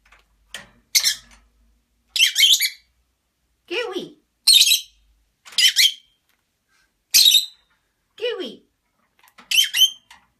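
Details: One of three pet lovebirds kept together, one caged, talking: a series of short, shrill squawky syllables roughly once a second, with a couple of lower, falling, voice-like notes mixed in, in a small quiet room.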